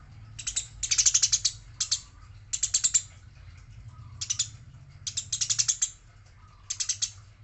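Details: Eurasian tree sparrow fighting, female mentioned; clattering runs of rapid scratchy chirps in bursts roughly a second long, with steady low background hum.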